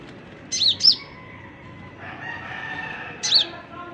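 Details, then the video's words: Oriental magpie-robin, known locally as konin, kept as a songbird and just beginning to sing: two quick high chirps, each a rising then falling note, followed by a single chirp three seconds later, over a faint background hiss. "KICAU, Konin buka paruh"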